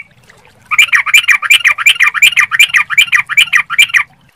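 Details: Lure song of a sooty-headed bulbul, meant to make birds reply: after a short silence, one continuous run of quick, bubbly chirps repeated about three times a second for over three seconds, in a quiet setting.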